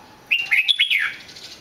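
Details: Red-whiskered bulbul giving one quick song phrase: a few clear, warbling whistles that dip and rise before trailing off into a softer downward slur.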